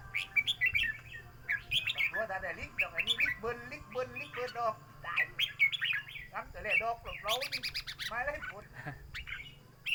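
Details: Cage-kept red-whiskered bulbul at a singing competition where song phrases are counted, delivering a run of sharp whistled chirps and warbles in quick succession, with people speaking nearby and a faint hum.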